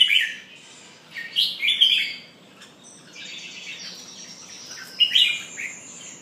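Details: Red-whiskered bulbul pumping and singing: short bright warbled phrases near the start, around one and a half to two seconds, and again near five seconds, with quieter chatter between and a faint hiss beneath.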